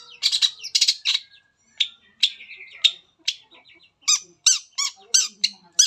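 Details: Shrike singing to prompt other shrikes: harsh buzzy squawks open the phrase, then spaced chirps and a closing series of sharp, evenly repeated notes about every third of a second.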